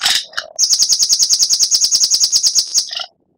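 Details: Oriental magpie-robin, a training recording for captive birds in Indonesia: a rapid, even rattle of high sharp notes, about twenty in two and a half seconds, opened by a few mixed chips and ending abruptly.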